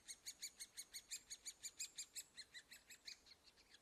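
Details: At the nest hole where adults bring food, great spotted woodpecker young keep up a fast, regular ticking of sharp high notes, loud and steady, softening slightly toward the end.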